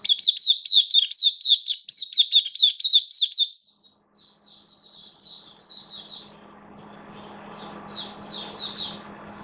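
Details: Open singing from a caged oriental white-eye on 11 September 2022, its form a little down: a dense three-second run of rapid high twitters, then sparser, softer chirps over faint low background noise and hum.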